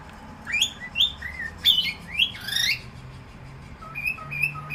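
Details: Cockatiel singing a phrase of rising, slurred whistles that sweep upward then drop, followed by a quieter series of short, level whistled notes, with a faint low hum indoors.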